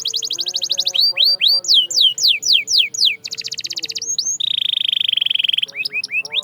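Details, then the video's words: Canary song for stimulating silent canaries, moving from a fast trill into loud looping whistled slurs, a buzzy roll, then a sustained bright steady note before short rising chirps. "Silent Canaries? Not Anymore! This Sound Brings Them Back to Life"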